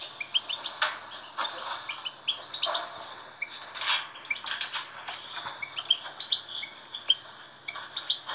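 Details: European goldfinch song meant to stimulate captive goldfinches: jumbled twittering chirps mixed with harsh, buzzy notes, in uneven bursts across the whole passage.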